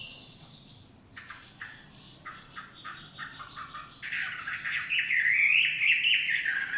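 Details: Chinese hwamei in the forest, heard faintly at first with soft repeated notes, then a louder, buzzy and warbling run of song toward the end over steady background noise.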